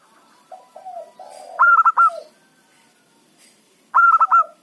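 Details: Local-strain zebra dove singing as a lure bird for trapping wild doves: soft falling coos, then a loud, bright, stuttering burst of four rapid rolled notes, repeated a few seconds later.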